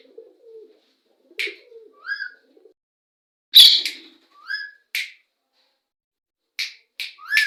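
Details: Parrots calling to each other: a low murmur, then scattered short whistles, some rising and some falling, with sharp clicks and one loud harsh note in the middle.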